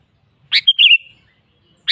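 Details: Sooty-headed bulbul singing to challenge a rival: a rough burst, then a crisp whistle and a quick bubbling slurred note trailing off, before the next harsh burst begins at the end.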